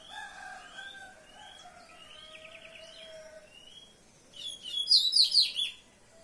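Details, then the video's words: Soft, wavering whistles and a short buzzy trill lead into a loud, fast run of high, sharp chirped notes near the end, sung by a common seedeater. "Papa Capim Comum"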